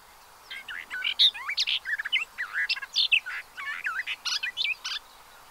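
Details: At the Séné reserve in the Gulf of Morbihan, France, on 30 April 2023, pied avocets with chicks give a lively run of fluty, bending notes and yelping chirps in rapid, irregular bursts.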